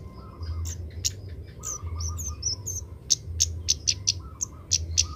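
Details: Young Oriental magpie-robin in training to sing, uttering high squeaky chirps that build into a fast series of sharp repeated ticks in the second half, over a low warbled phrase and a droning hum.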